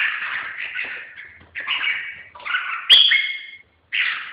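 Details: Red-whiskered bulbul giving rough, buzzy warbled phrases. A sharp clear whistle-like note rises above them near the end, with a faint tap in the background.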